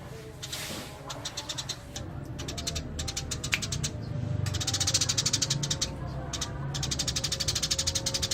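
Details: Eurasian tree sparrow in rolling 'ngerol' song: a nearly continuous stream of rapid, buzzy chirps, about three per second, swelling louder toward the end, with a soft tonal whine and a low rumble.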